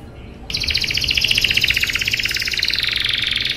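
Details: A canary delivers a rolling song: a fast, steady run of rapid repeated notes, about four per second sliding gently downward, after a brief quiet start, over low background hum.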